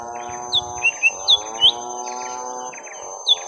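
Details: During a long fight between young lesser green leafbirds, sharp hooked whistles sound one after another over a continuous low harmonic drone.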